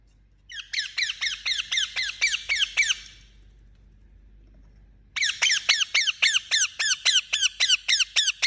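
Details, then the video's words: Indian ringneck parakeet repeating grating, down-slurred squawks about four per second, a first run of ten, a two-second gap, then a longer insistent series. "Funny Parrot Making Sound"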